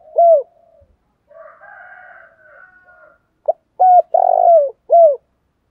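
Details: Spotted dove in "thổ đồng thúc đấu" voice, used to rouse other doves to fight: one loud coo, then quiet murmuring with a faint higher sound, ending in a burst of strong, deep cooing notes.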